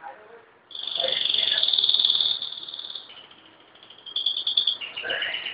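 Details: Pet canary singing indoors while its owner talks to it, praises it and asks it to sing one more; a rapid, bright, high trill held for about two seconds, then a softer trill, with the owner's voice at start and end.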